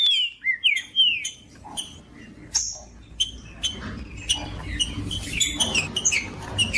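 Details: Green-winged saltator kept in a cage for singing tournaments, opening with a few loud falling whistles, then quieter scattered high notes and chips over a faint hum.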